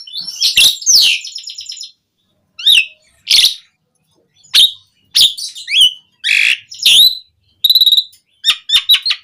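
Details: Asian pied starling song played to make captive starlings sing: scattered loud notes, sharp squawks and short whistles separated by brief silences, ending with a rapid series of clicks.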